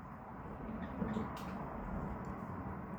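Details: Low, steady rumble like a vehicle or indoor machinery, with faint knocks and no animal voice.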